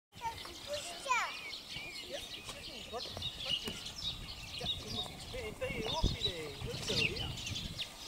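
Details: Flock of house sparrows in a beech hedge in the countryside at De Donk, Alblasserwaard, chirping a busy run of short, bright cheeps overlapping almost continuously, over a low background rumble.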